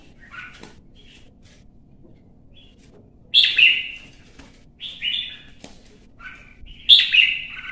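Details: Singing duel by a red-whiskered bulbul in Vietnam: quiet, scattered notes for three seconds, then loud, bright warbled phrases at irregular intervals with short clicks between.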